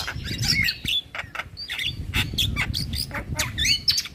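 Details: Javan myna lure song full of mimicked phrases: rapid sharp whistles, chips and harsh bursts run almost continuously, some notes sliding up or down, over a steady low background rumble.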